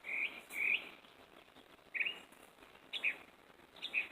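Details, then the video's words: Northern mockingbird in a tree at early morning, following a whole night of song; short chirped and slurred notes sound in small bursts separated by brief pauses. "Singing Mocking Bird"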